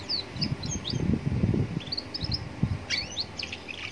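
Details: Young Atlantic canary singing near a road, meant to set other canaries singing. It gives quick, high downward-sliding chirps in short groups over loud, low street rumble.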